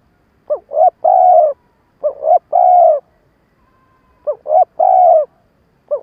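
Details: Stuttered cooing of a decoy spotted dove used to excite wild doves. Three full phrases of two quick rising hoots plus a long, level coo, and the start of a fourth, in clean silence.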